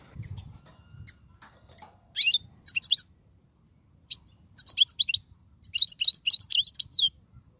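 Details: Algerian goldfinch performing tiwawti, galoubi and serfati song styles for teaching young birds: bright high twittering phrases growing denser, with rapid chattering runs toward the end, clean background.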